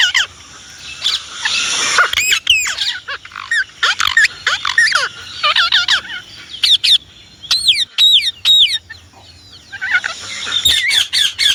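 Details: Indian ringneck parrot screeching in a dense, rough stretch, then spaced loud shrill calls, with quieter gaps in between.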